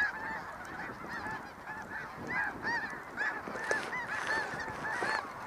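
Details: Snow geese in the snow, a flock giving continuous overlapping nasal honks and yelps, many birds calling at once in a steady chorus.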